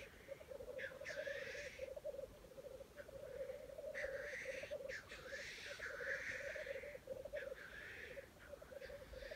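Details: Black grouse at a lekking site in Wales, early 2020, giving mating calls: a continuous low bubbling, rapidly pulsing coo runs throughout, broken by several loud, rushing hissed sneezes, some in quick pairs.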